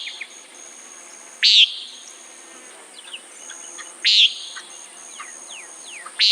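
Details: Harsh, nasal single notes from a common nighthawk, three calls about two and a half seconds apart, with faint sliding whistles of other birds in the background.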